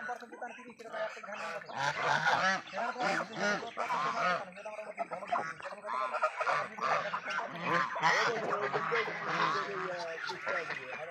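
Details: Raj ducks on a farm calling together in a dense chorus of nasal, honking calls that overlap almost continuously, with harsh harmonic notes repeating about three times per second.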